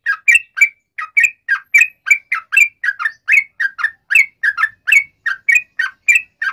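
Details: Rapid, continuous song of a yellow-vented bulbul in long trills, used as a lure so other birds answer: tumbling, liquid two-part notes in a steady chattering stream.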